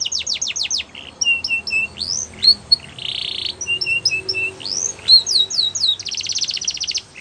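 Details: Belgian canary song for training young canaries, varied and broken: fast falling whistles, paired chirps, a harsh buzzy burst, rising slurs, and a final rapid rattling trill.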